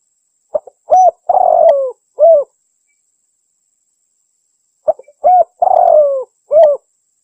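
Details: Javanese local spotted dove, a tekukur in the celebrated anggunan song style, giving two mellow cooing phrases a few seconds apart. Each has short clipped notes then a long, sliding, falling coo ending in a rounded note.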